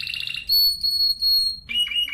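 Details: Spanish timbrado canary song fragment: a short pulsed trill followed by a long pure whistled note, then a lower warbled phrase, over faint low background noise.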